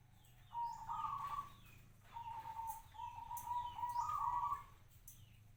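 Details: Local zebra dove kept for five years produces bubbling, trilled cooing phrases, a steady purr stepping up slightly in pitch, in two bursts.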